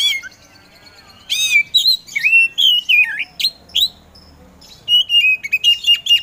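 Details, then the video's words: Kacer poci Oriental magpie-robin delivering varied, energetic song: wavering whistled slurs, sharp chips, a short pause, then a rapid string of level whistled notes. "KACER POCI GACOR SANG PROVOKATOR"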